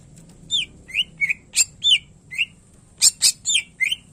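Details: Cucak ijo, the greater green leafbird, singing gacor with isian phrases meant to train other birds: rapid run of downslurred whistled notes mixed with harsh, bright cracking bursts, almost continuous over four seconds.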